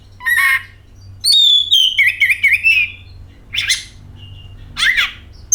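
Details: Oriental magpie-robin song used as a lure to get other magpie-robins singing: clear whistled phrases with slurred and wavering notes, then short harsh buzzy bursts and a few sharp high notes, over a low steady hum.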